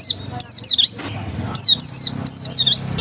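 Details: Oriental white-eye in 'ngotot' singing style, a few drawn-out high slurred whistles that dip and rise, in two short phrases over a low rumbling background.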